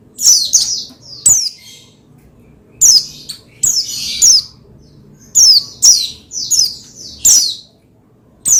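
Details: Oriental white-eye (pleci) song played to make another pleci sing: lively series of high, shrill descending chirps and short trills in uneven clusters, about twenty phrases a minute.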